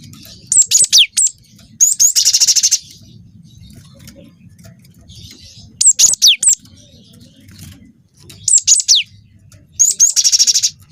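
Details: Lure song of a young cinereous tit, Wingko variety, meant to set other birds singing; four phrases of sharp whistled notes with falling sweeps, two of them running into a long rapid buzzing roll.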